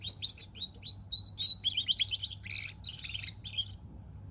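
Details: Goldfinch × canary hybrid song opening with repeated clear upslurred whistles, then a short sweet trill and harsher buzzy, scratchy notes, ending in bright chirps; a low hum runs beneath.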